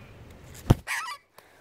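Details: Australian magpie upset after a kookaburra kicks it off a person's lap: one harsh, scream-like squawk, like a Wilhelm scream, lasting about a third of a second and dropping slightly in pitch, just after a sharp thump.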